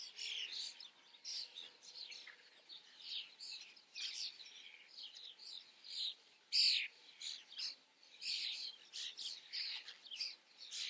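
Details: A busy chorus from common starlings on camera: rapid rasping chatter and squeaks keep up throughout, broken by one loud sharp note partway through.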